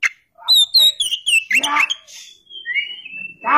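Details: Kacer, the oriental magpie-robin, gives quick high whistled notes, then a rough burst and a long, thin sliding whistle that falls away, with another note at the end.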